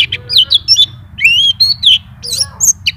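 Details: Nonstop white-eye song showing its repertoire: short high chirps, then a long wavering whistled slur, followed by sharp twittering notes, over a faint low hum.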